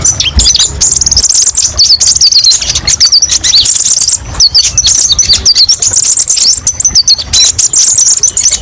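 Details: Sustained high-pitched chatter from a kolibri ninja sunbird used as tutor song: rapid trills mixed with short rising and falling chirps, almost unbroken.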